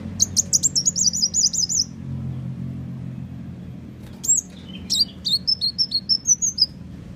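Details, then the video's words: Sunbird, the muncang or kolibri wulung, lure call for catching birds: a quick run of high chips lasting about two seconds, then a pause and a string of thin sliding whistles. "Panggilan Burung Muncang"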